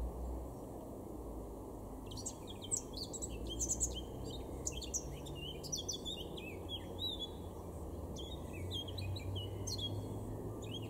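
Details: In April 2022 a male Eurasian blackcap in a Weener garden, far northwest Germany, sings a long tumbling warble from about two seconds on, dense with quick rising and falling notes, over constant low-pitched noise.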